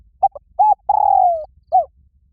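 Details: Spotted dove calling to fight, loud and ringing: short low coos followed by a long drawn, slightly falling coo and a final brief coo.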